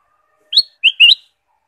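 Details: Ruby-throated bulbul, caged, singing to stimulate other birds: a clean phrase of three bright, slurred whistles, a high opening note followed by two lower, slightly rising notes, with nothing else audible.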